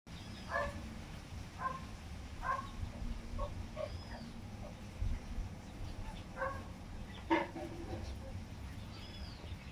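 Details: Tinamou chicks (inhambu-preta and sururina) give soft, short peeping notes at irregular intervals, about one each second, over a steady low background rumble.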